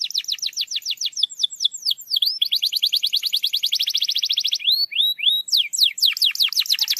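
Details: Canary singing as a lure for quiet canaries: energetic tours of quick downslurred notes flowing into a long fast trill, then swooping whistles and another burst of rapid chirps.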